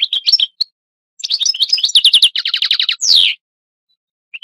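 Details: European goldfinch, a tutor for young goldfinches, giving quick chirps, then an evenly repeated rattling series of notes and a loud falling buzzy slur, with a faint chirp after a pause.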